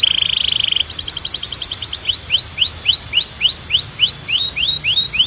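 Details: Training song of a Belgian canary, strong and clean: a buzzy trill, a fast run of short notes, then a slow tour of rising whistled slurs about two and a half per second over a thin steady high tone.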